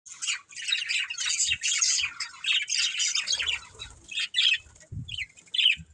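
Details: Breeding pair of budgerigars chattering: dense bursts of scratchy, high chirps and warbles in quick runs, with short pauses and soft low thumps in between.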